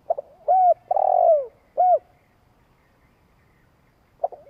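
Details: Spotted dove's long coo, used to rouse decoy birds: a quick stuttered note, a short arched coo, a long sustained coo falling away at the end, and a final short coo, then quiet before a brief note returns.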